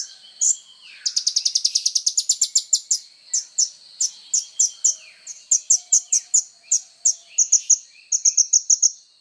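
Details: Kolibri ninja (Van Hasselt's sunbird) in full 'tonjolan' song for tutoring songbirds: one chirp, a long rapid rattle of high ticking notes, then many evenly spaced sharp chirps and closing quick bursts.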